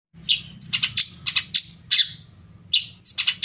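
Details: Long-tailed shrike (cendet) song used as a stimulus to provoke caged birds to answer and sing: harsh buzzy high notes in short bursts with thin whistled slurs, repeated in clusters about every half second, faint low hum beneath.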